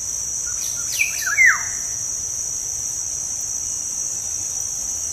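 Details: Black-naped oriole (kepodang) lure sound from Indonesia for rousing caged birds to sing: one brief burst of clear downslurred whistles near the start, then only a steady high insect drone.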